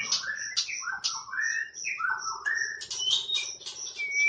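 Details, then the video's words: White-rumped shama, a champion competition bird, in a 'tembakan' song burst: rich fluty whistles that dip and rise, layered with sharp high notes and a steady low buzzing hum. "MURAI BATU JUARA. Kumpulan Tembakan Murai Batu juara"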